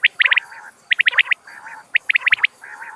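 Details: Common quail calling, used to bring birds close for hunting. Rapid groups of four or five bright, clipped notes repeat about every second, with softer lower murmuring between them and light background hiss.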